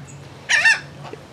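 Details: A laughing gull in an aquarium bird exhibit with herring gulls in Sarasota, Florida, gives one loud, harsh, nasal call lasting about a third of a second, over a low steady hum.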